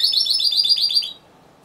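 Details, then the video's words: Timbrado Español canary competing in category C2 individual, November 2015: a brief phrase of about nine quick, evenly spaced high chirped notes over just over a second, then silence. "Έκθεση Καναρινιών Φωνής Timbrado Español"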